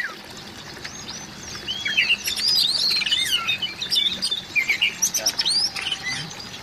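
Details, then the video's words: Oriental magpie-robin calls meant to prompt a mute magpie-robin to sing: high looping whistles and quick upturned notes over a hissy background, building in the middle into dense, scratchy twittering bursts. "suara panggilan burung kacer"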